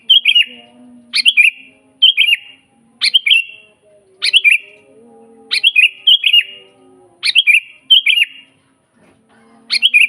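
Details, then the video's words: Energetic natural song of a sooty-headed bulbul (kutilang), used as training master and lure: about nine bubbly, fluty phrases in quick succession, each a tumbling cluster of clear whistles, with a faint low hum beneath. "suara burung kutilang GACOR asli"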